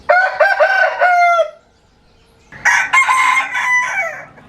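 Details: Different roosters crowing, two loud crows in turn: a strong, ringing harmonic crow of about a second and a half, a short quiet gap, then a rougher, longer crow that tapers away.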